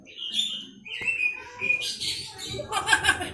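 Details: Hill myna, a chatty mimic that copies greetings, laughter and coughing, gives short whistled, slurred notes and buzzy, speech-like fragments in quick succession, with a harsher broadband burst near the end.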